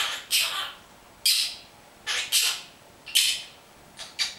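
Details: Pet monk parakeet talking, saying its own name and words such as love, kiss, come here and move away: six harsh, buzzy, raspy bursts of uneven length at irregular intervals, separated by quiet pauses.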